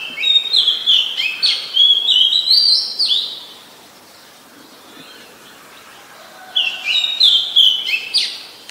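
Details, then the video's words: Oriental magpie-robin, a very common resident, recorded on 17 November 2021 in Ubon Ratchathani, Thailand: two bursts of clear, varied whistled phrases, sliding and warbling notes tumbling quickly, separated by a few seconds of quiet background. "นกกางเขนบ้าน Oriental Magpie Robin (singing)"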